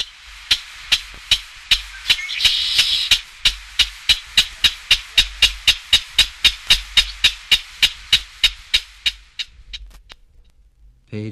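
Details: Clapper Rail from a 1961 guide to eastern and central North American bird songs, giving a long series of dry, harsh clacks, about four per second, slowing slightly toward the end, over a faint hiss.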